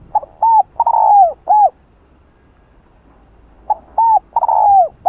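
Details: Spotted dove crowing and cooing in the "Hạp Bổi" style to provoke rivals: two loud, low phrases of hooked notes around a long drawn-out falling coo, separated by two quiet seconds.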